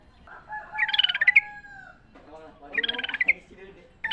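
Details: Sooty-headed bulbul singing in the wild, a recording used to lure and train caged birds to sing: two bursts of bubbly, chattering notes around a bright warbled phrase with a sliding whistle, separated by a quieter pause.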